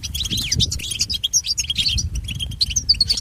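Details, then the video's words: European goldfinch song used to train pet goldfinches, fast liquid twittering mixing bright tinkling notes with buzzy chips and brief upslurred whistles, delivered in a continuous tumbling stream against low background hum. "Listen to Goldfinch's most famous motivations for training and education"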